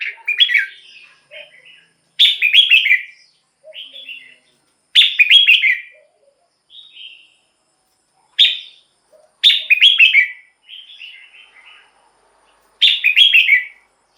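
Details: Red-whiskered bulbul song used to lure or excite birds. Six loud, lilting phrases, each slurring downward, repeat at irregular gaps of one to three seconds. Quieter short whistles sit between them.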